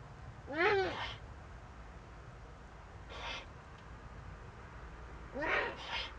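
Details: Eurasian eagle-owl owlet filmed by a nest camera in northern Rhineland-Palatinate, Germany, on 15 May 2013, first meeting an adult. Loud raspy screech with wavering harmonic bands, then a softer hiss and a final double rasping burst, against steady low hum.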